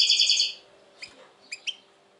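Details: European goldfinch song from a 2020 recording of a bird its keeper calls very tense lately: a half-second burst of dense, buzzy, rapid twittering, then three short high chirps spaced apart over a faint steady hum.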